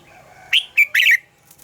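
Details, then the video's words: Red-whiskered bulbul giving its morning song in the double-note mature wild style, used to train other bulbuls' singing: a short phrase of three loud, bright, warbled notes, the last one longest and slightly wavering, over quiet background. "Luyện giọng cho chào mào hót sáng - Hót hay nhanh lửa, chào mào hót âm kép già rừng hay tuyệt!"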